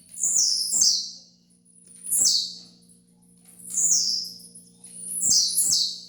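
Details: Tiziu, the blue-black grassquit, singing a training song: four bright buzzy bursts that sweep downward, spaced about one and a half seconds apart, over a constant low electrical hum.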